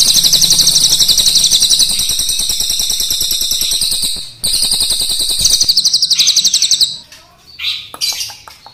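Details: A Crested jay (cililin, black or brown form) gives a long, high, rapid rattling trill running unbroken for about seven seconds, then trailing off into a few scattered sharp chirps.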